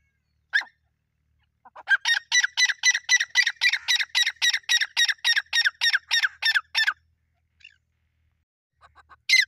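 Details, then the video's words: Irani teetar partridge calling in a fight: one sharp note, then a steady fast run of loud, harsh, grating notes about four per second for nearly five seconds, then brief softer notes. "teetar ki awaaz teetar ki ladai ki video"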